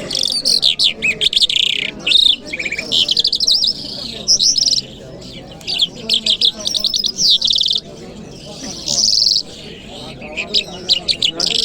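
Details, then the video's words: Jal Mashhadi lark recorded on a Friday morning in Kabul, pouring out sharp high twitters, rolling trills and whistled slurs in phrases of one to two seconds separated by short gaps; faint low chatter underneath. "Jal Birds Sounds | Lark Singing | جل مشهدي | طرقه | قزالاق | صدای جل مشهدي برای مست کردن"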